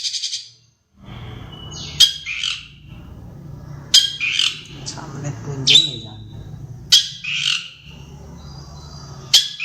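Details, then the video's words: Long-tailed shrike from Madura in full song with sparrow and Java sparrow mimicry. Harsh squawky bursts come every second or two against a steady low background hum. "Suara Burung Cendet Madura Gacor variasi Gereja gelatik wingko"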